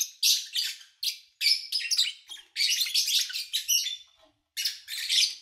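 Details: Lovebirds recorded in early August 2019 while the area was quiet: sharp, high, squeaky chirps in clustered phrases, a steadier chattering run, then a short silence before a final burst.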